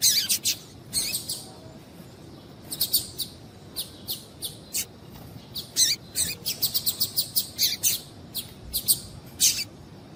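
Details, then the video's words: Female double-collared seedeater giving its call meant to excite males into song: a busy stream of bright, sharp chirps, some paired, some in rapid runs, almost continuous for ten seconds. "Piado de Fêmea de Coleiro para Esquentar Coleiro"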